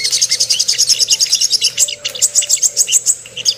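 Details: Ruby-cheeked sunbird lure song for rousing aggression and arousal: an even series of high, sharp notes at about three per second, then a run of thin ringing chips.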